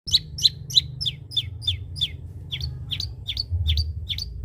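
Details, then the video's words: Long-tailed shrike singing a mimicked kapas tembak song: sharp, downslurred chirps repeated about three times per second, with a low hum underneath. "cendet isian kapas tembak gacor"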